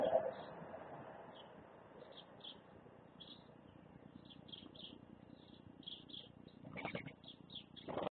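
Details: A white wagtail (Motacilla alba), recorded 22 December 2015 at about 15:10, gives short, high chirping calls, one to three a second, over steady background hiss, with a few dull knocks near the end.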